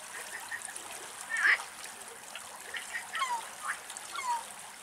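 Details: Spur-winged lapwing in Greece gives one sharp, rising note, then a few fainter, downward-slurred notes over a soft watery background hiss.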